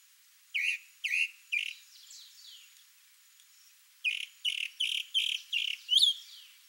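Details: Chalk-browed mockingbird male (sabiá-do-campo) singing while displaying to a female: two bursts of short, harsh, rapidly repeated chattering notes, about three then six in a row, the last one sharper and higher, separated by a quiet pause.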